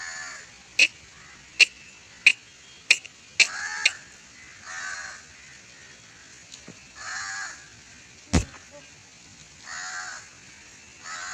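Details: Barn owl being taught to fly, giving three harsh, breathy hissing screeches about two to three seconds apart, each under a second long, after a run of sharp clicks or taps near the start; low background hum throughout.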